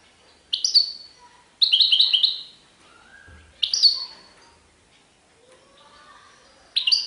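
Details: Short bright chirped phrases from a European goldfinch in serfati tiwawati style, four separate bursts spaced roughly a second or more apart, with faint low background sounds between them.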